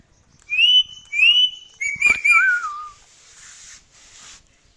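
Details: A male pet parrot gives two bright level whistles, then a burst of quick chirpy notes and a falling, wavering whistle. A soft hiss trails off afterward.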